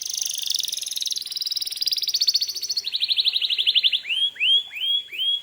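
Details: Canary singing to provoke rival canaries into answering, with rolling rapid trills that step down in pitch in three stages, then four separate upswept whistled notes repeated about every half second.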